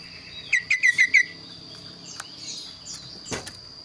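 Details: Kaso-kaso bird singing actively, with a voice described as unique and varied: a quick run of five sharp, bright notes of even pitch, then quieter scattered ticks over a steady high hum and a faint rustle.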